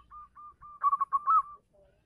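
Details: Local zebra dove's call to a female: a few soft level coos lead into a louder rapid cluster of stuttering coos, ending with a fading note.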